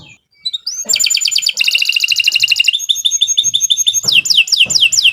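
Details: Canary song meant for training other birds, opening with a brief pause before fast metallic trills, a sweet rising whistle, and a series of steep downward-slurred notes repeated quickly.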